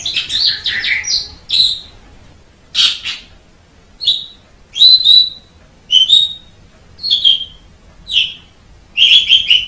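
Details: Black-winged starling singing a series of separate high whistles and short slurred phrases, spaced about a second apart, some rising and some falling.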